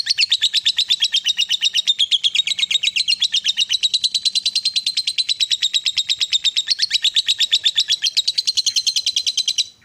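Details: Fighter-type lovebird in long 'ngekek' chattering song, used to stimulate a quiet lovebird into singing; a continuous, very rapid, harsh high-pitched chatter of dense ticking notes, sustained unbroken for about ten seconds with no other sounds.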